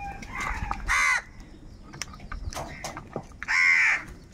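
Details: Two loud, rough crow caws separated by a couple of seconds of fainter calling, from crows said to be angry and fighting over food.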